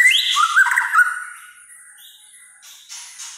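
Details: White-rumped shama in kretekan song, noted for stirring up other shamas: a quick burst of whistles and warbled rattling notes, then quiet with faint high ticks.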